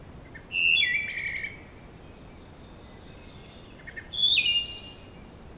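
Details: Wood thrush in a forest, recorded by a game camera, possibly nesting nearby: two flute-like phrases about three seconds apart, each a clear whistled note sliding into a higher, shimmering trill; otherwise quiet.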